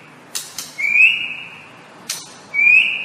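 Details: White-rumped shama masteran tutor song: two sharp clicks followed by a long rising whistled note, then a single click and a second similar upslurred whistle.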